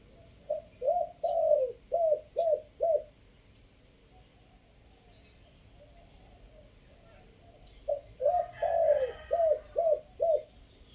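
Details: Chiang Mai spotted dove in a three-note decoy cooing style, two bursts of five or six soft, hollow coos separated by several seconds of quiet, with faint voices near the second burst.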